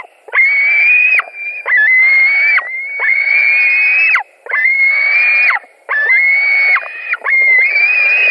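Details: Wailing calls of white-tailed eagles at a Latvian nest, evening of 17 July 2020, while two adults arrive and compete for a delivered fish. Sustained, nasal, high whines follow one another closely, each lasting about a second.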